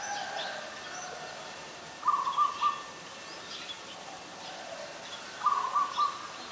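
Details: Ashy Woodswallow in Ubon Ratchathani, Thailand, on 20 October 2021 gives two short bursts of four quick, mid-pitched chattering notes about three seconds apart, with faint higher bird calls in the background.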